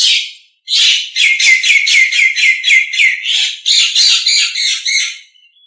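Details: Nias hill myna song meant as a training recording: a loud, fast series of about a dozen rising whistled notes, each with a harsh edge, then a burst of grating chatter.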